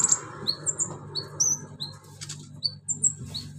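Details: Van Hasselt's sunbird giving imitation-rich song of cricket, chick, cililin and golden grasshopper sounds: thin, pure, very high whistled notes, some rising and some falling, spaced irregularly over a steady low electrical hum.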